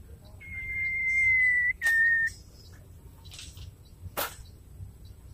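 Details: Female White-rumped shama (murai batu) calling the male: a long, steady, pure whistled note held over a second, then a shorter, slightly lower whistle, with scattered sharp clicks afterward.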